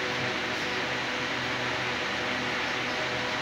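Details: Steady, dense broadband hiss like a running fan or air conditioner, with a faint low hum and no animal voice anywhere.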